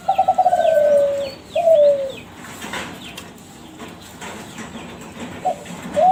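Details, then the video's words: Kelantan-bred spotted dove of a champion contest line, used to prompt other doves to answer: a rapid stuttered series of coo notes sliding down into a long coo, then a shorter coo, quiet, and a rising note at the end, with light chirping behind. "SUARA DERKUKU KELANTAN TRAH JUARA PANCINGAN SUARA GACOR"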